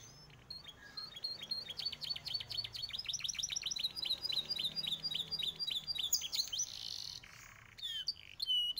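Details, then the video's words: Three yellow Belgian canaries singing: a long run of rapid, high, downward-sweeping notes repeated about four per second, with bright sliding whistles near the end. "Canários cantando, três canários amarelos contando."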